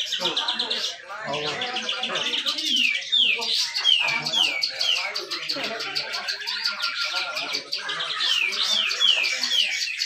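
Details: Grey-cheeked bulbul in a cage at a North Kalimantan bird contest, giving a continuous rapid 'besetan rapet' song of sliding whistles and buzzy chatter amid a busy chorus of competing birds and crowd noise.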